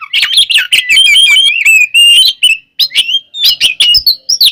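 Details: Oriental magpie-robin giving loud fighting song, ngeplong and ngekek style, used to provoke other birds: dense stream of fast varied whistles and trills, with warbled slurs and short breaks between phrases.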